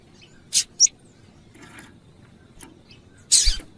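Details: Female Double-collared Seedeater calling to prompt a male to sing. Two quick high chips come close together, then faint scratchy notes, and a louder harsh burst with a low bump near the end.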